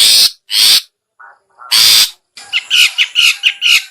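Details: Cendet or pentet, the long-tailed shrike, calling to lure others of its kind: three loud grating rasps separated by short pauses, then a fast chattering series of squeaky chirps.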